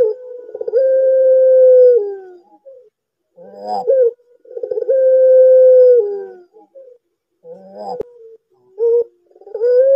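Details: Barbary dove, known locally as puter, giving a loud call used as a lure for young or lazy doves. Short rough notes lead into long, steady, drawn-out coos of about two seconds, heard twice with quiet gaps between.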